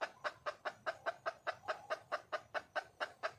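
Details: A wild red junglefowl hen seeks a male with rapid repeated clucks, about thirteen sharp notes in three and a half seconds, each a brief nasal knock at an even pace.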